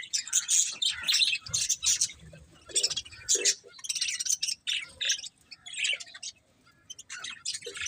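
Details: Budgerigars give separate bursts of high, squeaky chirps and short warbled phrases, with quiet gaps between them and soft low bumps underneath.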